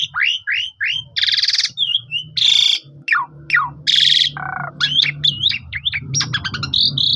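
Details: Asian pied starling song recorded by phone, meant to get other starlings singing again: loud buzzy rasps alternate with slurred whistles and rapid chirp clusters, over a steady low hum in the background.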